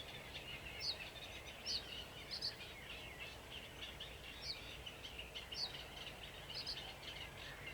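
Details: Sedge warbler recorded 28 June 2021 together with another bird: a fairly quiet, running scratchy chatter with a thin high edge, broken by clear, sharp, high ticking notes about once a second; faint low rumble beneath.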